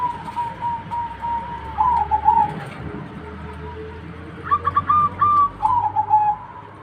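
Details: Song of a zebra dove: a brief cooing phrase, then after a pause a longer series of staccato, rolling coo notes repeated rapidly, level in pitch and fading at the end.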